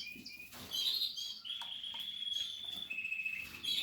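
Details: Nest-building Portuguese harlequin canary singing a long, steady whistled note followed by a lower held tone, opened and closed with short high chirps.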